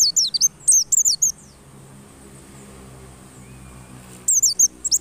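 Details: White-eye song used to provoke white-eyes into persistent singing: a phrase of high, wavering descending whistles, a long quiet gap, then the phrase starting again.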